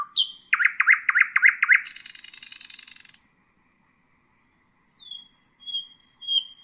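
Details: Nightingale song for teaching young birds: a quick series of loud, repeated liquid notes runs into a long rasping buzz. After a silence come several thin, high whistles that slide downward.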